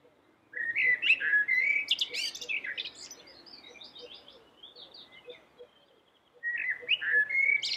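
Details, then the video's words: Common blackbird, a yellow-billed black bird singing vigorously: a rich burst of warbled whistles and squeaky notes, a quiet pause with soft repeated chirps in the background, then another loud fluty phrase. "suara merdu common black bird #burung hitam paruh kuning gacor"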